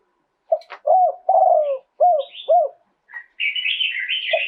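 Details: Spotted dove delivering a live two-kuk song: a faint lead-in, then a steady string of five mellow, arched coos, one of them long, followed by a spell of busy high chirping from other birds.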